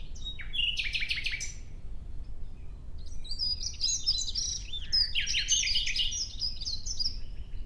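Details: A nightingale sings in the open, giving a rich varied phrase of buzzy notes and slurred whistles, a short silence, then a longer tumbling burst of chirps and trills over a constant low background hum.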